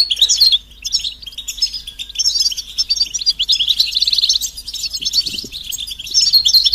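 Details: European goldfinch twittering from mating and readiness calls used to rouse a silent male, with jangling high notes, a brief pause, then a smoother fast trill mid-phrase and a soft low thud.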